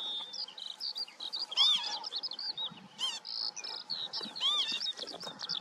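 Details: Northern lapwing giving arched, slurred calls with strong harmonics, heard three times across the stretch, set against a dense background of high chirping, twittering birds.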